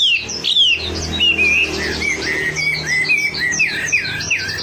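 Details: Wambi lure song to get birds singing: a rapid, unbroken stream of sweet whistled notes and slurred chirps, rising and falling, over a low indoor hum.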